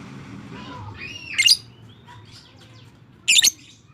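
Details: Lovebird chattering in a 'ngekek' series, played to stimulate lovebirds that stay silent. Two harsh, shrill screeches about two seconds apart, with softer tonal chirps in between.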